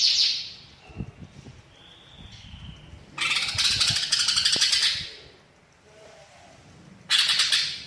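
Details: Greater green leafbird (cucak ijo) in imitation-rich song: a brief high burst, a quiet gap, a two-second loud buzzy chattering phrase, and another burst at the end.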